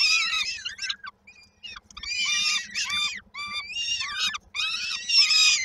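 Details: Peregrine falcon chicks at Koszalin, 19 May 2022, begging while waiting for their mother to bring dinner: harsh, harmonic screaming calls in rapid overlapping bursts, some with falling or wavering pitch, brief pauses between volleys.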